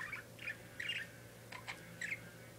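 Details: A pet parakeet makes a brisk mix of short squawky chirps and buzzy notes, several per second, over a constant low hum.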